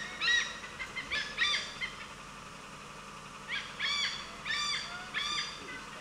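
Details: Indian pied hornbill in Bandhavgarh National Park, central India, filmed in forest; harsh nasal cackling bursts with stacked harmonics, two notes early then a run of four spaced about half a second apart, over faint forest background.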